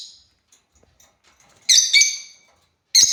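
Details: African lovebirds give a loud, scratchy double chirp, then another shrill chirp after about a second, with soft clicking between.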